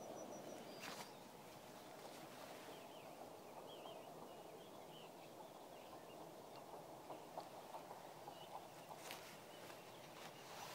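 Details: Northern lapwing at the Malá Čermná wetland, Náchod district, on 25 March 2016. Faint, wavy, slurred calls come in a short cluster early on, amid scattered knocks and brief broadband thumps.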